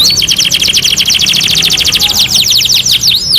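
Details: Canary on a two-in-one master recording delivering a rapid even trill of bright repeated notes, about fifteen per second, ending in looping whistled sweeps.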